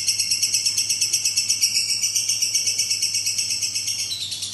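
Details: Long-lasting ngekek from a lovebird, an unbroken stream of piercing, fast rattling notes that stays high and even for the whole stretch, over a quiet low electrical hum.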